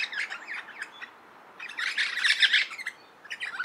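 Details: Four crimson (Adelaide) rosellas in a eucalypt at Littlehampton, South Australia, 23 July 2021, displaying with swinging tails while a pair inspected a possible nest hollow. They give repeated bursts of busy, scratchy chattering and squeaks, the loudest in the middle.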